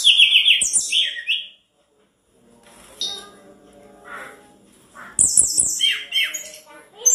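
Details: Sunda robin, a strong singer used to provoke rival birds into answering: loud bursts of high, whistled and chattering phrases, a pause of near silence, then another run of rapid warbled notes, with faint room noise between.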